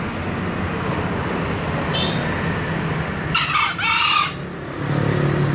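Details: Green junglefowl crowing: one short, hoarse, two-part crow of about a second, rising then breaking into a second burst, heard over a steady low rumble with a faint brief note just before.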